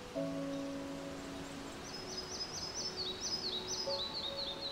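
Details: Red-breasted flycatcher song in a beech forest on Sweden's west coast in summer: a quick series of high, thin repeated notes, about four per second, stepping down in pitch at the end, over faint low sustained tones.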